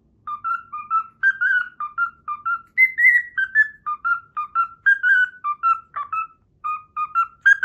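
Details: Caged pet cockatiel whistles the Pythagora Switch opening theme it has learned, a lively sequence of clear, fluty notes in short bouncing phrases, with a few higher climbing notes mid-tune; no other sounds.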